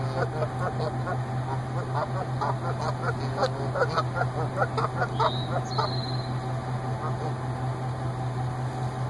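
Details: Goose pair reunited in a parking lot, their yearly nesting site, after the female spent a week hospitalized for suspected lead poisoning, greeting each other with rapid, excited honks over a steady low hum.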